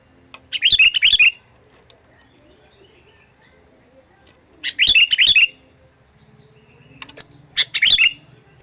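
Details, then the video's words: Sooty-headed bulbul lure call for wild birds, three separate bursts of quick, chattering whistled notes spaced about three seconds apart, clear against a quiet background with faint low hum. "SUARA Panggilan kutilang Gacor,BUat Pancingan burung liar"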